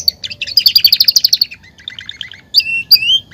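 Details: Belgian canary singing to warm up other canaries: a fast, evenly pulsed high trill, softer chattering notes, then two loud rising whistled slurs.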